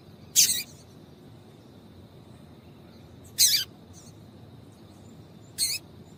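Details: Female double-collared seedeater calling, used to stir males into singing: three short, sharp, high chips spaced about two to three seconds apart, each a quick bright burst, over a faint steady high hum and quiet background.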